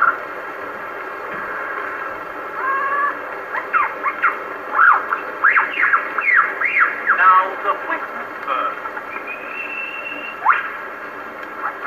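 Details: Wild lyrebird in Sherbrook Forest, Victoria, Australia, on an old disc recording: loud ringing whistles that sweep sharply up and down in quick bursts, a sustained higher whistle, then a final sharp note, all over constant surface hiss.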